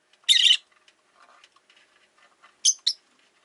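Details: Pet rosy-faced lovebirds, five in a cage near a window: a loud, rasping chirp opens, soft murmured chatter follows, then two quick, sharper chirps close together.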